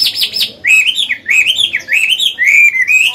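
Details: Old Chinese hwamei singing in wild style for training caged birds: a high buzzy trill, then loud, rolling whistled phrases rising and dipping in quick succession.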